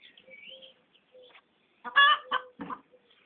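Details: Pekin duck, a domestic bird, laughing at a person: soft low murmuring and a thin whine, then a sudden loud burst of three harsh, raspy quacks dropping in pitch.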